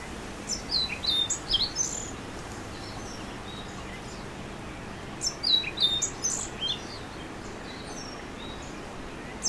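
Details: A singing orange-billed nightingale-thrush delivers two jumbled bursts of thin, high, twittering notes roughly four seconds apart, then a short quiet gap, with soft steady noise behind.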